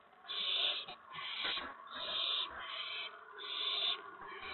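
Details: Owlets' nest site, April 19, 2017, shortly after 8 PM while the parent owls deliver food; a run of four drawn-out, noisy screeching hisses, each roughly half a second to a second long, with soft rustling underneath.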